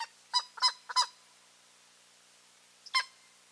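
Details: Eagle pair visiting the nest on 15 March 2023, calling: three loud, harsh yelps in quick succession, a pause of nearly two seconds, then a single matching bark; otherwise quiet.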